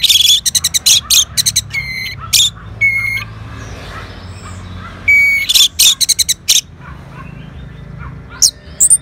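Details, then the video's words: Orange-headed thrush responding to lure sounds, mixing rapid clipped chips with level, ringing tones, in two loud bouts separated by a softer gap. "Sangarnya Respon ANIS MERAH Langsung Nyaut Dengar Pancingan Suara Burung Ini"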